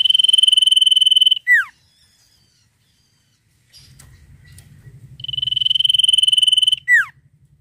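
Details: Sirtu, gacor ngetir nyiul: two bouts of fast, high, metallic pulsed trilling, each closed by a steep falling whistle, with a silent gap and low murmuring hum between them.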